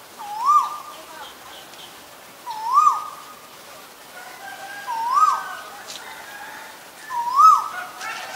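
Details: Asian koel giving four rising, whistled two-part calls, each sweeping upward and ending in a sharp peak, spaced about every two and a half seconds with quiet gaps between.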